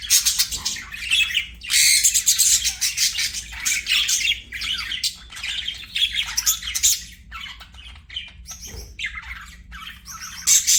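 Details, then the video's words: Budgie kept as a pet chattering almost nonstop, a busy stream of harsh, high chirps and squawks rising and falling in loudness, with a low hum behind. "BUDGIE CHIRPING SOUNDS"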